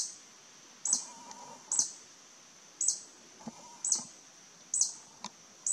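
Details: Violet sabrewing, a wild hummingbird in Costa Rica, calling while aggressively defending its territory: sharp, very high chips repeated roughly once a second at slightly uneven intervals, over faint low background noise.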